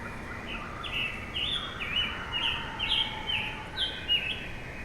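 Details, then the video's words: Scarlet tanager perched on a tree, singing short hoarse, burry phrases in a steady run, about two per second, over a faint lower whistled line and soft background hiss. "A scarlet tanager is sitting on a tree with an original chirping sound."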